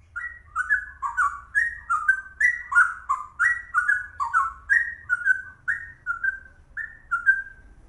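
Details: Straw-headed bulbul, or cucak rowo, in fast ropel singing: a steady run of loud, mellow whistled notes that slur downward, packed about three per second, with faint high clicks above and a low background rumble.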